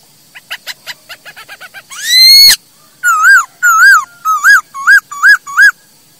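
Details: Masked laughingthrush song, used as a tutor recording for training kept birds: a run of short clipped notes, a loud rising whistle, then six wavy, bell-like whistles in quick succession.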